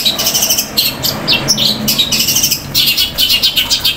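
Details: Long-tailed shrike (cendet) in loud, long, fast masteran song imitating fighting sparrows: bursts of sharp high chirps, rapid and bright, tumbling one after another with short breaks between runs.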